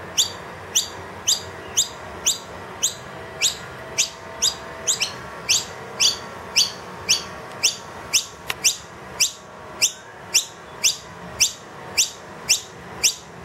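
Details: Wild noisy miner young, brought indoors into a room by a parent, give loud begging calls for food after the feeder emptied, unusually persistent: sharp, high, scratchy chirps about twice a second, steady and insistent, over a faint background hum.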